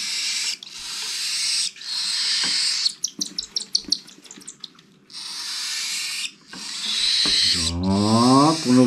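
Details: Cockatiel chicks, the season's last, hand-fed in an aviary, begging: long harsh rasping hisses broken by a run of quick clicking pulses, then rising, buzzy harmonic squawks near the end.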